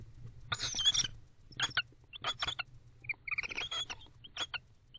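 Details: Bonded barn owl pair close up at an owl box at 11:48 pm on 19 October 2023, mating and billing; harsh, broadband hissing screech bursts, some drawn out, others short, mixed with rapid chittering, over a steady low hum.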